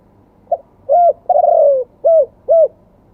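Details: A single phrase of spotted dove song in the wild-voice style ending in two kuk notes: a faint lead-in note, a low cooing note, a long sliding croon, then two short rounded notes.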